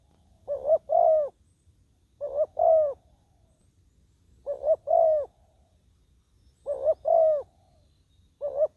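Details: Decoy spotted dove on the ground luring wild doves, said to have a small, fine voice; a regular run of soft two-note coos, brief then drawn-out, given about every two seconds.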